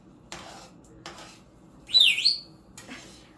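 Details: A hungry pet African grey parrot, throwing a tantrum while waiting for eggs to cook, gives one harsh, rasping squawk that rises then drops, under half a second, amid kitchen clatter of dishes and utensils.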